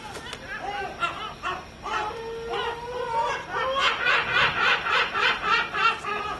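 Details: A group of gulls calling together, with a drawn-out wail building into a fast laughing series of loud repeated notes, about three per second, with other gulls overlapping.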